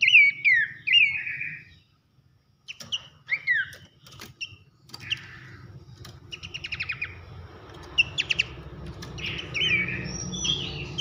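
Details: Horsfield's babbler (pelanduk semak) masteran recording for training contest songbirds: loud downslurred whistles, rapid clicking bursts, a short pause near two seconds, then scattered notes over a low rumbling background hum.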